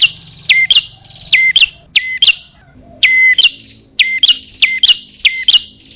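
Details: Bar-winged prinia calls used as a lure for both sexes: shrill repeated couplets, a falling sweep settling on a flat whistled tone and a brief upturned chip, delivered in steady, evenly paced series.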